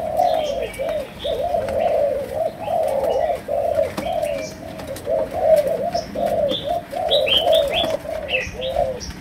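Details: Malaysian spotted dove with continuous low cooing, overlapping coo phrases suggesting more than one bird, plus higher chirps from small birds and clicking noises.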